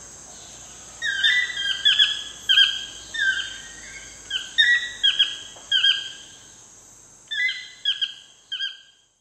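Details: Toucan at sunset in the Costa Rican jungle gives loud, yelping, down-slurred notes in uneven bursts of two or three, over a steady high insect drone.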